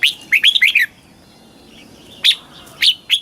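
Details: Red-whiskered bulbul, Thailand, southern master style song for exciting cage birds and teaching young: a rapid run of clear whistles, then a pause and three separate bright single notes.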